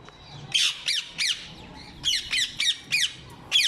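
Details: Ring-necked parrots calling with repeated strident, raspy squawks, a loud opening note followed by short uneven series of shrill screeches.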